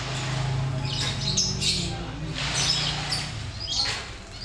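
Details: Lovebirds kept for colony breeding in captivity give scratchy, high chattering squawks in clusters about a second apart. A constant low droning hum runs underneath.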